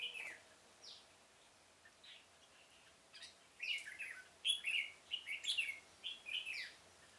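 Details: Red-whiskered bulbul decoy singing to lure birds into a trap in a pomelo garden, October 2017; sparse whistles at first, building to a lively run of quick slurred phrases, roughly seventy per minute.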